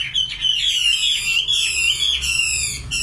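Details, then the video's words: A short burst of nightingale song, rich trilled phrase with fast stacked notes sustained for about three seconds. "Singing nightingale. amazing bird song"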